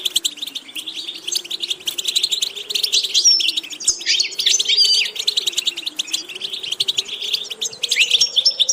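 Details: European goldfinch in steady song for training purposes: unbroken bright twittering and buzzy trills with occasional thin whistled notes, carried over a wavering low hum throughout.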